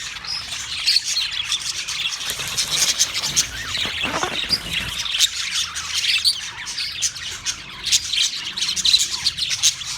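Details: Australian parrots recorded on March 15, 2024: a dense chorus of harsh, overlapping squawks and screeches, high-pitched and continuous for ten seconds, with a brief low rumble near the middle.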